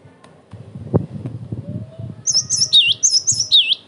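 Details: Energetic cinereous tit song meant to draw replies from other tits and to train birds: after low background rumble and a knock, a loud phrase of high repeated whistled pairs with downward swoops starts midway.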